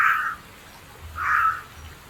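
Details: Wild carrion crow, busy finding and hiding food and sparing an earthworm, utters two rough, throaty caws just over a second apart against a quiet background.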